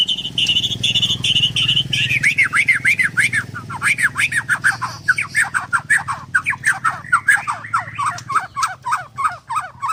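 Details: White-rumped shama (murai batu) at a Kendal bird farm: a steady pulsing whistle for two seconds, then a long rapid run of downward-swooping notes, dense and continuous, over faint background hum.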